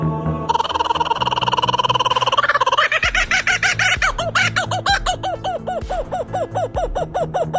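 A kookaburra's rolling chuckle builds into loud, rapid hooting 'ha-ha' notes about four per second, with a low musical hum underneath.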